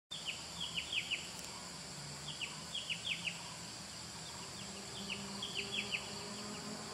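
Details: Silver-breasted broadbill (Serilophus lunatus) at Genting Highlands, Pahang, Malaysia, on 10 April 2011, giving thin, high, down-slurred notes in quick clusters of four to six, repeated every second or two over a steady hum, with roadside car noise.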